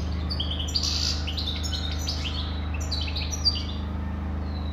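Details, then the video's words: European goldfinch song: quick bursts of tinkling, twittering notes and short buzzy trills, delivered in rapid clusters over a steady low hum. "Καρδερίνα,chardonneret,goldfinch the best"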